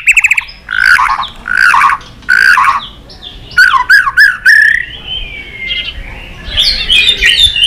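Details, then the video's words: White-rumped shama in many-voiced competitive song. It begins with harsh buzzy squawks, then looping whistled slurs, then a long thin whistle and high jumbled warbling. "chòe lửa hót nhiều giọng kích bổi hót đấu"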